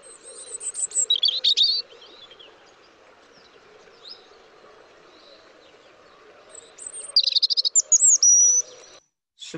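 A European robin sings thin, high, tinkling phrases in two bursts, with a pause of quiet murmur between them.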